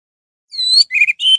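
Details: Short orange-headed thrush phrase used to goad other orange-headed thrushes into song: a level whistled note, a buzzy chattering burst, then a bright sustained whistle.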